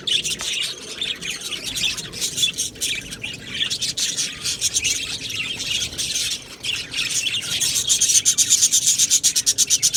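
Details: Australian budgerigars in an aviary colony, singing and chirping: a dense, continuous mass of high, scratchy warbles and rapid chirps that swells louder toward the end, with many birds calling at once.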